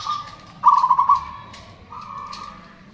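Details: Zebra dove song from local Indonesian birds, male and female calling back and forth, meant to coax silent birds into singing: a soft steady coo leads into a loud rolling, stuttered phrase, then a quieter trailing coo.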